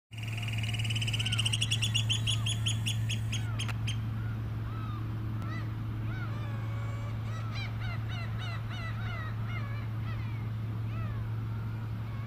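Oystercatchers pipe loud, shrill notes in a fast run, then give many overlapping calls from a flock, over a steady low droning hum.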